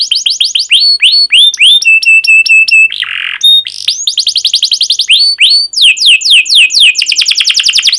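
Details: Canary used as a master singer for young canaries: varied phrases of falling chirps, flat whistled notes repeated in a row, a brief harsh rasp, then quick descending chirps speeding into a trill.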